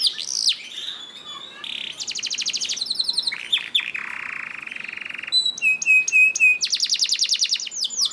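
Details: Singing canary, used as a master song to prompt other canaries to sing: rapid varied tours of buzzy trills, rolling rattles and high repeated whistled notes, switching phrase every second or so.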